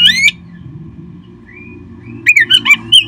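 An Oriental magpie-robin gives a harsh opening note, a soft rising whistle, then a quick run of loud, varied whistles and squawky notes.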